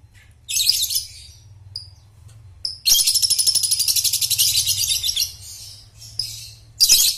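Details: Lovebird ngekek, a lure for young birds learning to trill: a few high chirps, then a long continuous rapid pulsing trill of over two seconds, followed by short chatters over a low hum.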